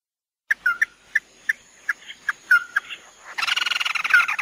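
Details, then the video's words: Tí nỉ song from a chim mắt đỏ. Spaced sharp chips and downslurred whistles build up, then burst into a dense, buzzy rattling trill for the last second. A faint steady high tone runs in the background. "Tiếng chim mắt đỏ tí nỉ chuẩn nhất"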